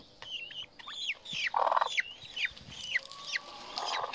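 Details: Himalayan monal chick calling: a quick series of high, sliding peeps, several falling sharply, about eight in four seconds, interrupted by two brief low buzzy bursts and a longer flat hum near the end.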